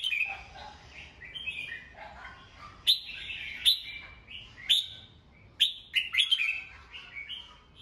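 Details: Red-whiskered bulbul, a kept songbird, singing in the morning to train young birds; varied phrases mix lower mellow notes with high bright whistles and sharp clicks, growing busier and louder toward the end.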